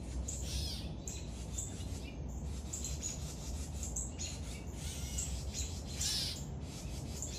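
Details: Young woodpecker being fed, high squeaky chirps in repeated bursts, louder excited chatter near the end, with a constant low hum in the background.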